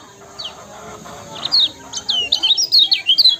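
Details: Yellow-bellied prinia in chatty ciak ciak song, meant to rouse other songbirds: quiet, scattered high notes at first, building to a quick string of bright, descending chirps near the end.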